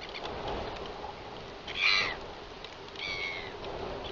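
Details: Royal albatross returning to its colony at Taiaroa Head on an October 2021 evening: two bright, nasal harmonic calls, the first louder, a little over a second apart, against a steady windy background.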